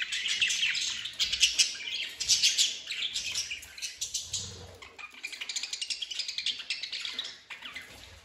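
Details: Budgerigars recorded 26 December 2023 warble continuously in high, scratchy chirps and chatters, several birds overlapping.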